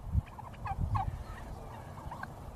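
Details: Turkey gobbling in a short burst of rapid, warbling notes, with a low rumble of background noise underneath.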